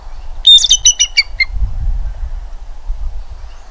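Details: Bald eagle at a nest near Redding on 25 April 2021 around 07:00, giving one loud high-pitched chittering series of about seven sharp piping notes that step downward and fade, followed by low rumble.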